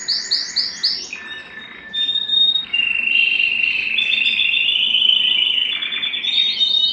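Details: Canary kept at home, excited and wanting to mate, sings varied phrases: quick high chirps, then a long steady whistled tone and buzzy rolling trills that rise and fall in pitch.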